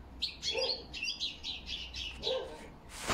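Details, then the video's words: Autumn song of a European goldfinch, October 2021, recorded alongside crested lark whistles: short bursts of twittering high notes in quick phrases, with a few lower chirps and a sharp click at the close. "Осеннее пение щегла под высвисты посметюха"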